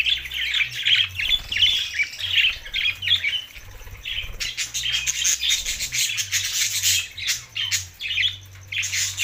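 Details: Budgerigars in Larkana, Sindh, on June 7, 2024, keep up a busy, scratchy warble of overlapping chirps and squawks that runs without a break, over a faint low background hum.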